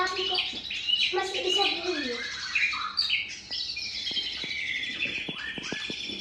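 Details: Male white-rumped shama singing: varied whistled phrases, some sliding downward, mixed with high sustained notes, with faint clicking and tapping sounds in the background.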